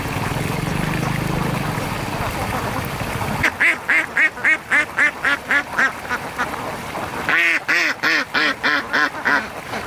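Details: A bathing duck gives a quick run of harsh, nasal quacks, about three to four per second, after a few seconds of splashing water, then a louder burst near the end.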